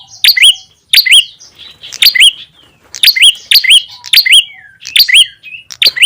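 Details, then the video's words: Ashy tailorbird lure call, used to draw wild small birds close: sharp high chirps, each ending in a short rising-then-falling whistled note, repeated about once a second in a steady series with no other sounds. "SUARA PIKAT PRENJAK TAMU/KEPALA MERAH"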